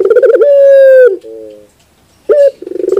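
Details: Barbary dove (puter bird) close up: the end of a rolling stutter into a long sustained coo and soft low hoots, a pause, then a sharp rising note and another pulsing roll.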